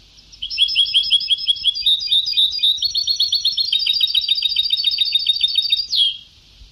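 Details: Sebtawi-style song of a European goldfinch, taken from an old tape: a sustained, fast and continuous stream of high, tinkling, metallic twitters lasting about five seconds, ending in a sharp descending slur.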